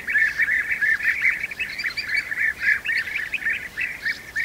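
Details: European bee-eaters feeding their young at the nest, giving loud, packed trilled calls: quick purring notes rising and falling slightly, tumbling over one another almost without pause.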